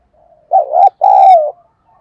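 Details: Spotted dove kept as a decoy, cooing to provoke wild doves. A short wavering low note, a pause, then a longer steady coo that sags at its close. Almost silent around it.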